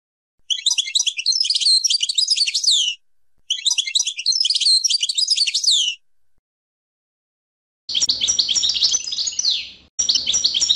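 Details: European goldfinch sorties: two long, chattering bursts of high jangling notes, then a harsher, buzzier twittering phrase repeated after a short break.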